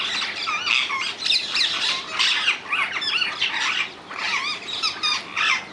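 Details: Rose-ringed parakeets in the wild in the Netherlands: quick, harsh, rising and falling screeches, roughly two per second, from more than one bird.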